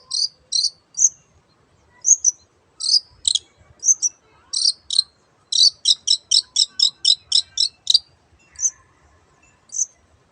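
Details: Song of a long-tailed shrike made of high, clipped double chirps, spaced at first, then a fast rhythmic run of about a dozen evenly repeated notes before slowing again.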